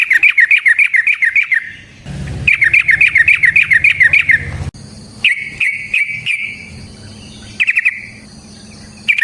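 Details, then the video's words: Yellow-vented bulbul singing to stimulate other bulbuls into song: fast, regular runs of bubbly whistled notes in bursts of about two seconds, separated by pauses, with a low rumbling background. "Suara Burung TRUCUKAN gacor ROPEL VARIASI NROTOK NGECUPLIK pancingan trucukan agar JADI trucuk GACOR"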